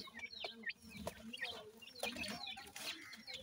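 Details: Short stretch of francolin (teetar) chicks chirping, thin high peeps and slurred notes over a steady bed of low clucking sounds.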